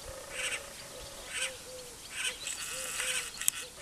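Great spotted cuckoo giving harsh, grating chatter in short bursts, about one a second, over soft low arched hooting notes from another bird.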